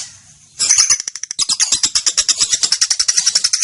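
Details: Female lovebird recorded as a lure for training other birds, in the ngetik, konslet and ngekek styles: after a brief quiet start, a fast run of sharp, high, ticking chirps repeated evenly about seven times a second, bright and continuous to the end.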